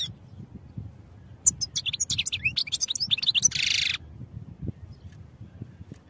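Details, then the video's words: European goldfinch singing, recorded for training: after near silence, a quick tumbling sequence of bright tinkling notes closes with a rasping buzz, then soft background noise returns. "Goldfinch Songs for Training"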